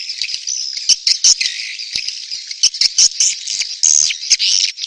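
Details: Buzzy, high twittering of swiftlets in a birahi beranak mating call, broken into short bursts separated by tiny gaps, with sharp clicks in between.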